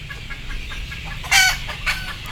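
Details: A frightened, sleepy chicken about to board lets out one loud harsh squawk followed by a softer call, with faint clucking and a low hum behind.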